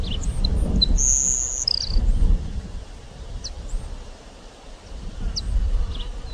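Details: Grassland sparrow (Ammodramus humeralis) song: one thin, very high sustained whistle, then a short lower buzzy note. Strong low wind rumble and scattered faint high chirps continue throughout.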